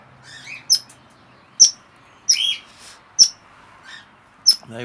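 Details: Recently fledged red-rumped parrot babies in an aviary, demanding to be fed, give sharp high chirps about every second at an uneven pace, with softer twittering between them and a man's voice at the very end.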